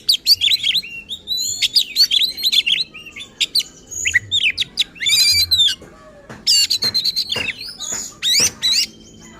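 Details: Oriental magpie-robin in full, agitated song meant to provoke other magpie-robins: a fast run of loud whistled notes, sharp rising and falling sweeps and harsh buzzy bursts, with brief pauses between phrases.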